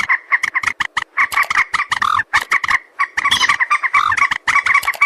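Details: Hunting lure recording of common moorhen, or jal morgi: dense, continuous run of rapid harsh clucks and croaks, nasal and strident, hardly pausing over five seconds.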